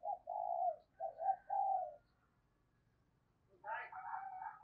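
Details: Decoy spotted dove calling in the 'thúc' and 'gáy gọi' manner for wild birds: three steady, moderately loud coos over a low background hum, silence, then a harsher, higher-pitched sound closes the clip.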